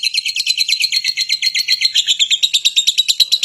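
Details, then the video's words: Rapid, piercing lovebird chatter: short buzzy squeaks repeated quickly in a steady, excited run. "SUARA BURUNG LOVEBIRD"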